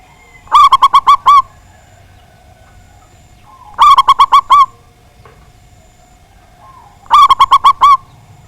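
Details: Local Indonesian zebra dove singing loudly to provoke rival birds: three separate bursts of about six quick, ringing coo notes each, spaced roughly three seconds apart, with near silence between phrases.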